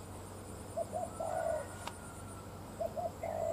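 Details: Spotted dove heard on a sunny day while being trapped with a lure bird: two short soft coos lead into a longer drawn-out hoarse note, and the whole phrase repeats once. Faint hum and insects sound underneath.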